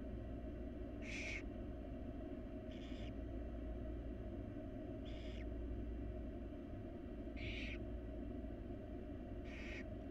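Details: In a wild nest box under study, barn owl young call to their feeding mother: five short breathy screeches, spaced about two seconds apart, over a persistent low hum.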